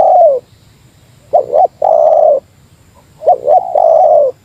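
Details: Meratus lure call of a spotted dove competing against a rival: a trailing coo, then two phrases of a clipped double note followed by a sustained falling coo, close and loud.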